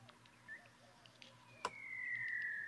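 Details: Montezuma Quail male–female interaction call, female giving a louder tooting call and male his normal call: a long, clear whistle sliding slowly downward for over a second, after a few faint short notes and one sharp click.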